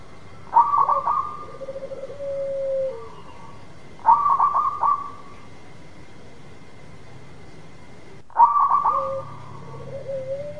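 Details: Active local zebra dove song used to lure a reluctant dove into singing: three phrases roughly every four seconds. Each is a quick stutter of sharp notes and a drawn-out level coo, with quiet gaps between.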